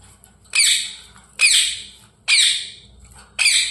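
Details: Talking parrot giving four harsh, broadband squawks, each about half a second long, loud at onset and fading, spaced roughly a second apart in a quiet indoor setting.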